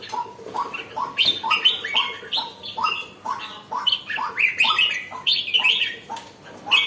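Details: Red-whiskered bulbul just turning lively, singing a busy series of short rising chirps laced with high, bright twittering notes, delivered rapidly and evenly over about seven seconds.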